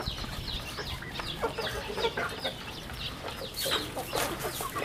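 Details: Rural farm chicks peeping: a dense stream of high, thin chirps sliding down in pitch, many birds overlapping, growing busier toward the end, with a few low clucks underneath.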